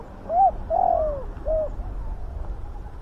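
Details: Big-voiced spotted dove coo used to attract wild doves: one three-note phrase of a short rising note, a long downward-sliding coo and a short end note, then quiet.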